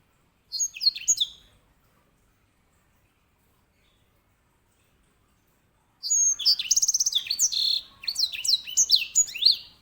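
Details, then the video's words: Grey singing finch, a master bird for canaries, sings a brief opening phrase, falls silent for several seconds, then returns with a long rush of high whistles, rapid trills and downslurred notes. "EDEL SANGER SI BURUNG BERSUARA LANTANG"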